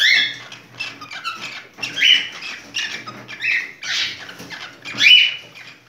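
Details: Cockatiel in breeding condition giving a mating call: harsh, scratchy chatters and short squawks in irregular bursts, several louder rasping notes standing out, with soft rustling in between.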